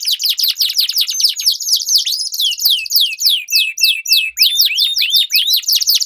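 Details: Long rolling canary song in a duel, used to coax silent birds into singing: continuous rapid trills of sweeping notes overlaid with higher twittering, slowing briefly into clearer slurred whistles.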